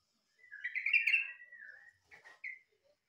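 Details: Yellow-vented bulbul song that resembles a cucak ijo: a long warbling, chattering whistled phrase rising then trailing lower, followed after a pause by two short, quieter notes.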